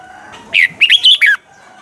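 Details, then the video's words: Red-whiskered bulbul with a mature wild bird's double-note song, used to train caged birds: a single short phrase of four quick, bright, rising-and-falling whistled notes. "chào mào hót âm kép già rừng hay tuyệt!"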